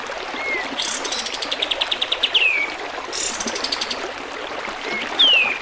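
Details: Sooty-headed bulbul song for training other birds to sing: two clear descending whistles, one early and one near the end, with rapid rattling clicks in bursts between them over steady trickling water.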